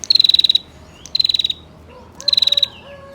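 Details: Female bar-winged prinia giving a long rapid call used to lure males into calling. Three bursts of quick, even, high pulsed notes, each lasting about half a second, separated by pauses. Faint lower whistled notes are heard in the background.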